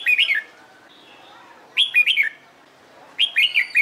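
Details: Red-whiskered bulbul singing in competition training, delivering rich warbled whistled phrases of several quick notes, three bursts spaced more than a second apart, softer chirps in between.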